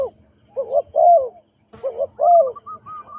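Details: Trained captive spotted dove used as a ground decoy, cooing: two phrases of throaty, bubbling coos, each a quick pair of rolling notes followed by a longer, louder purring coo, with a short pause between phrases.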